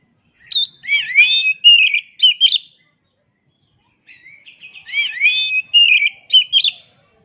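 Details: Oriental magpie-robin song from a master recording for training birds to sing: two similar long phrases of slurred whistles and crisp chips, each about two seconds, separated by a silent pause.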